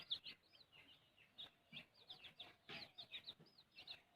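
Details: A chick being fed by its mother hen gives faint, high, slurred peeps, each rising then falling, repeated several times a second over quiet, low pecking noises.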